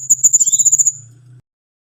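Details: Brief, high, thin Timor sparrow trill of about a dozen quick even notes lasting under a second, with a faint rising whistle and a low steady hum underneath.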